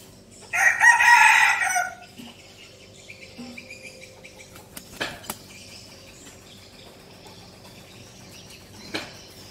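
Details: A decoy red junglefowl lets out a single strong, rasping crow at the start, followed by quiet with scattered clicks and faint rustling.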